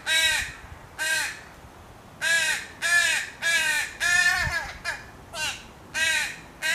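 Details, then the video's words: Young crow begging its mother for food: nine loud, hoarse, arching caws in quick uneven succession, some clipped short, over a quiet background. "Baby Crow SOUNDS CALLING to Mother Crow"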